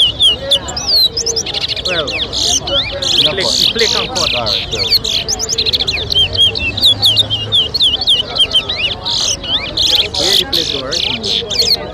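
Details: Towa towa in a 2023 whistling competition at Lusignan, Guyana, singing a long, fast run of bright, high, looping whistled notes that repeat almost without pause for twelve seconds, with faint voices behind.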